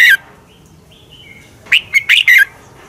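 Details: Red-whiskered bulbul in a decoy fighting song for training. It opens on the end of a phrase, then faint thin whistles, then one clear run of four punchy, slurred whistled notes closing with a downward slur.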